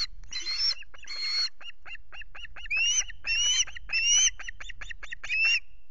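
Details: Loch Garten Osprey nest with chicks on 5 July, as the male brings two fish: drawn, rising squeals alternate with rapid strings of short clipped chips, over a faint low background.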